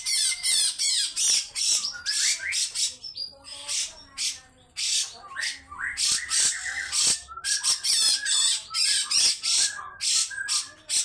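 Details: Rough, prolonged 'besetan' scolding from a grey-cheeked bulbul. Rapid, irregular bursts of grating, buzzy notes run about two or three per second, mixed with brief twangy whistles.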